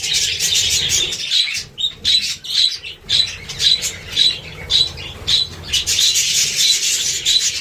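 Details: Budgerigar flock chattering: high, scratchy squawks and chirps coming in rapid pulsing bursts, nearly two per second, rising to a continuous twittering at the end.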